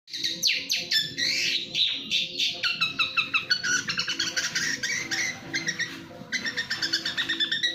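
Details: National champion long-tailed shrike singing in the fast 'speed' style: rapid, dense bursts of sharp chattering and whistled notes, strongly varied and tumbling without pause, with a faint steady low hum beneath.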